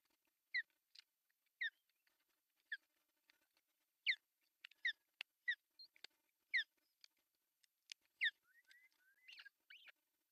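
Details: Nest camera in northern Satakunta, Finland, June 10, 2024, as the male osprey delivers a big fish for breakfast; sparse sharp downslurred chirps roughly every second, then a few thin rising whistles at the close.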